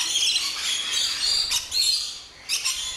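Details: Noisy flock of rainbow lorikeets in an aviary at an orchid farm in Luttelgeest, Netherlands; high thin shrieks and whistled squeals blend into steady chatter, broken by brief louder bursts.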